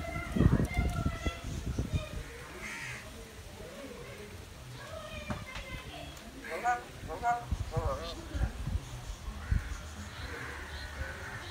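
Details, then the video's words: Myna in Sri Lanka imitates human speech in short, harsh, wordlike phrases with a throaty, crow-like tone; low rumbling and faint background voices are also heard. "Myna speak"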